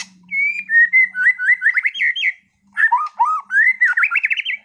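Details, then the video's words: Caged competition white-rumped shama from Sragen singing two rich whistled phrases, each building from sustained notes into rapid warbling slurs, with a brief silent gap between. "MURAI BATU TEMBAKAN ISTIMEWAH gacor bongkar materi kelas lomba"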